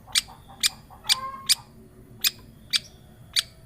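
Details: Lure recording of a long-tailed shrike for prompting a quiet bird: scattered sharp, scratchy broadband notes about every half second, with a brief thin whistle in the middle.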